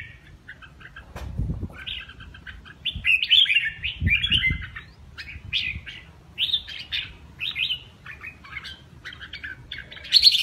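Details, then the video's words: Red-whiskered bulbul (Pycnonotus jocosus) singing a lively run of bright, warbled, chirpy phrases, each under a second, delivered nearly continuously; a few low thumps in the background. "CHÀO MÀO LÂN HÓT ĐỈNH"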